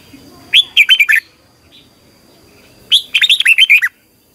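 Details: Red-whiskered bulbul used as a decoy to spur other birds to sing, double twisting long voice: two quick phrases of clear, looping whistled notes, the second longer.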